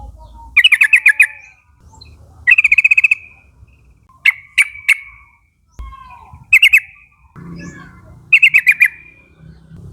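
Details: Lure call of a young forest flock of Yellow-vented Bulbuls, chattering in the nguplik style to draw companions into calling. Five quick bubbling bursts of five to seven notes, plus a few sharp separate chips, with light background rumble.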